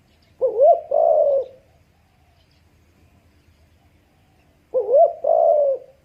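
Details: Spotted dove cooing twice, about four seconds apart: each phrase a wavering, quavering low note followed by a longer falling coo, with quiet between.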